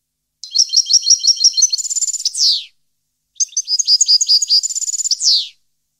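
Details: European goldfinch singing in 2015, two near-identical phrases about three seconds apart, each a rapid series of chirpy twitters building into a trill and finishing with a wheezy falling buzz.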